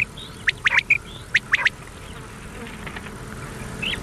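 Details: Common quail calling on an old cassette tape meant for night-long playback: a quick cluster of sharp high notes in two bursts early on, then only tape hiss with a faint call near the end.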